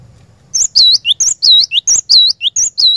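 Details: Cinereous tit (glatik batu) lure song, used to get a caged bird singing steadily; bright high whistled two-part phrases, a sharp upslur then a dipping note, repeated rhythmically about every half second after a brief quiet start.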